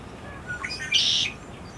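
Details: A Lincoln's sparrow in the United States, 18 April 2018, gives a brief song fragment: a few high chirps, then a short, bright buzzy trill, over a quiet, low hiss.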